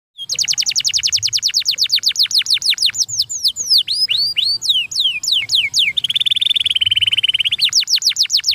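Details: Canary song, fast and loud: long runs of rapid descending whistled sweeps, a few slower swooping notes, then a dense buzzy trill before the quick sweeps resume.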